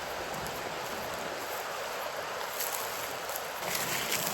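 Steady broadband hiss of rushing water or wind with no animal voice anywhere.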